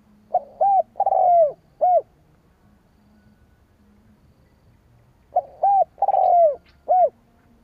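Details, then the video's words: A spotted dove coos to lure rival doves: two phrases of soft, hollow notes, each with a long falling coo near the middle, separated by roughly three and a half seconds of quiet with a faint low hum. "Tiếng chim cu gáy kích bổi"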